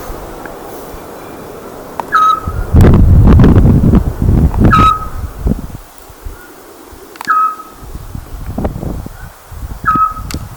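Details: Eurasian scops owl repeating a single short, clear whistled note roughly every two and a half seconds, four times, with loud low rumbling wind or handling noise between calls.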